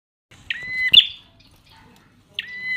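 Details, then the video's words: Prinia, described as partly in full song, giving two harsh buzzy notes with stacked harmonics, each ending in a sharp click, separated by a pause of nearly two seconds; faint background rustle. "prenjak semi gacor"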